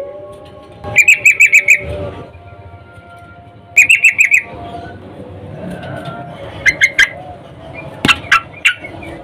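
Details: Female sooty-headed bulbul in breeding condition calling a male, used as a lure for males: four bursts of five to six rapid, bright pulsed notes, each burst under a second, spaced a few seconds apart over a steady low hum.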